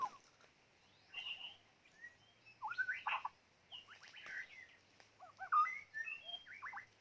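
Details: White-rumped shama, kept as a decoy, pouring out varied song: melodious whistles, rising and falling slurs and harsh chattering bursts in irregular phrases.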